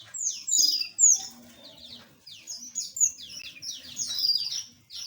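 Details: A flock of small aviary birds calling at once, with rapid, high, sharply falling chirps in clustered bursts and brief pauses between them.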